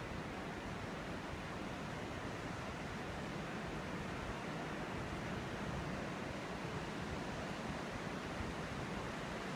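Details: Constant broadband hiss like rushing wind or surf, with no animal calls.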